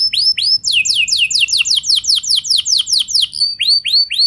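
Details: Canary lure song for prompting other canaries to sing: a couple of upswept chirps lead into a steady series of sweeping, descending notes at about five per second, closing with slurred whistles.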